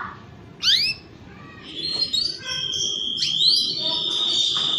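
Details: Canary song played as a lure to prompt mating: a sharp upswept chirp, then scattered whistled notes and short buzzy phrases at steady high pitch, with a faint background hum.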